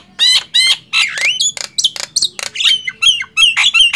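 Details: Loud contest singing from a Nias hill myna and a black-winged myna: squawking double notes, a long sliding whistle, then choppy clicks and bright, twisting whistled phrases.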